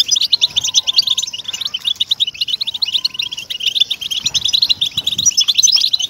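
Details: European goldfinch song for motivating captive goldfinches to sing: continuous high twittering of quick chirps and buzzy trills, with faint steady low whistled tones heard twice in the background.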